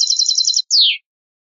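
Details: European goldfinch tutoring song for young birds from an Andalusian Hunting Federation CD: a fast, even trill for about half a second, then a single long downslurred, nasal note.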